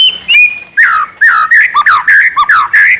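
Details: White-rumped shama singing actively in the trotol style: loud, slurred whistles sweeping down and up, then a quick run of short looping phrases with brief gaps.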